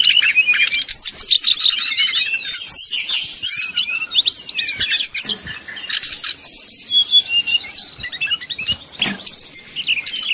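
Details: Brown-chested Jungle Flycatcher bait song in flute-like style, aimed at provoking rival birds. Bright rising and falling whistles and rattling trills tumble together, easing slightly in the middle before building again.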